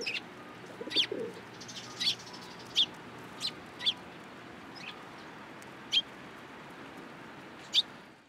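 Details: Sparrows landing on a hand to take food at a Tenmangu shrine, 13 April 2023: sharp high chirps repeated irregularly, roughly eight over several seconds, with a brief low murmur early on.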